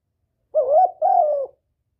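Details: Spotted dove lure call meant to draw in a male: a single phrase of two smooth, hollow coos, the first rising and then dipping, the second longer and slowly falling, in a quiet setting.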